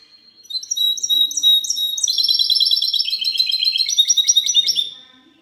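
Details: Clean song of a goldfinch mule recorded 19 March 2020: a few spaced whistled notes lead into a fast, bright, jingling trill that runs for about three seconds.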